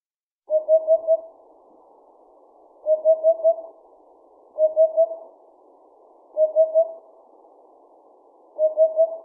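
A Eurasian hoopoe gives soft, low, hollow hoop-hoop-hoop phrases of three or four notes, repeated about every two seconds against a quiet background.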